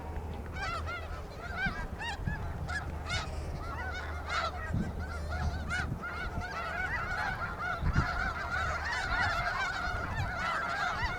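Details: A large gathering of snow geese at Iona Beach, British Columbia, keeps up a crowded, continuous babble of barking honks that thickens toward the end, with a few low thumps.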